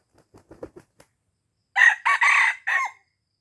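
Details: Aceh red junglefowl call used for luring wild birds. A few soft, low clucks come first, then a pause, then a short, hoarse crow in four choppy segments ending in a brief downward tail.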